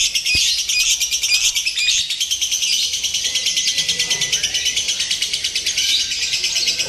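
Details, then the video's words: Competition-style lovebird singing, played to train a bird's composure before contests: nonstop high-pitched chattering pulses, rapid and rasping, with a brief click at the very beginning. "SIMULASI LOMBA TERBARU : TERBUKTI AMPUH MELATIH MENTAL LOVEBIRD"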